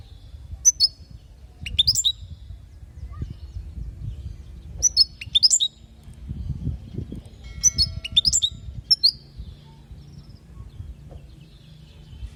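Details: European goldfinch from Palestine, a 'lugha'-style teaching song for young goldfinches: bursts of bright, tinkling twitters with quick high notes, sung in short phrases about every three seconds over a low background rumble.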